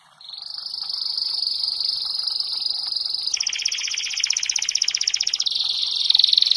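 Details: Canary song for training birds: a continuous high, rolling trill that switches midway to a faster, buzzier rattling trill, then returns to a sharper, ringing trill.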